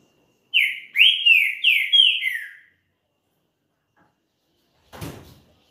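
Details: Champion green-winged saltator song played to fire up another bird: a quick run of five clear, ringing whistled notes, each rising then falling, tumbling into a lower closing slur, then silence and a single knock.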